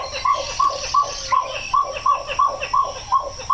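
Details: Pied-billed Grebe, a wetland nester in Washington, sings a steady series of low, hollow, identical notes, about three per second, over faint background hiss.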